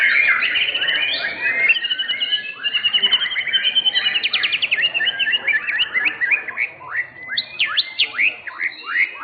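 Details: White-rumped shama, class winner at an Indonesian singing contest: a long rich song of rapid trilled runs and fast repeated chattering notes, then loud sweeping whistled upslurs and downslurs.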